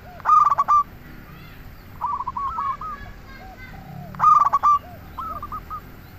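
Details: Local zebra dove singing as a lure to make other doves answer: loud bursts of rapid, rolling cooing notes, with softer, lower cooing phrases from other doves between them, repeating about every four seconds.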